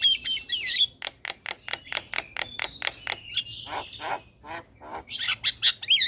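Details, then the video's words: Song of a starling meant to stimulate caged starlings to answer: a whistled flourish, then a fast regular series of harsh clicking notes, a drawn-out buzz, and a closing squeaky twisting whistle. "Terapi Semua Jenis Burung Jalak Sekali Putar Jalak Macet Bunyi Seketika Nyaut"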